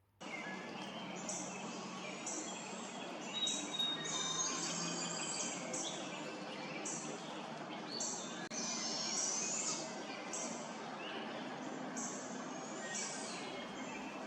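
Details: Young Barred Owls (owlets) calling further down the trail in a Lancaster County, Pennsylvania park in late May, giving faint, high, hissing screeches, each under a second, repeated every second or two through a soft background hum, after Blue Jays mobbed an adult.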